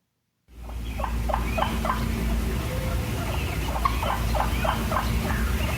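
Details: Wild Turkeys in a flock moving around and feeding give clucks, sounds of contentment: short, sharp clucks, several each second in an uneven stream, over a steady low rumble of background noise.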